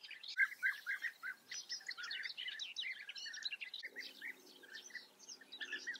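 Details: Busy chorus at a European bee-eater colony in Germany's Eifel region, with many rapid, overlapping purring calls about four per second and higher twittering notes above, plus a faint low hum in the second half.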